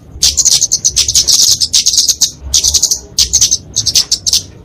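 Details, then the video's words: Flowerpecker (kemade), genus Dicaeum, giving a fighting song used to train and lure small songbirds: rapid, high, thin ticking notes in dense bursts of about a second, separated by short pauses. "Kicauan Kemade Tarung Untuk Masteran&Pikatan Burung Kecil"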